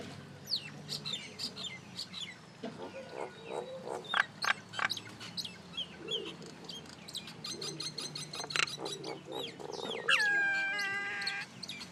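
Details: Noisy common myna: a long, varied chatter of clicks, squeaks and gurgles, ending in a drawn-out harmonic, whining note, with constant low hum beneath.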